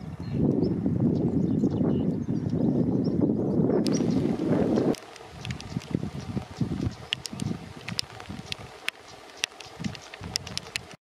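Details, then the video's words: A female European stonechat gives sharp, dry clicking ticks, scattered irregularly after heavy low wind rumble fades in the first half. "Cri du tarier pâtre femelle"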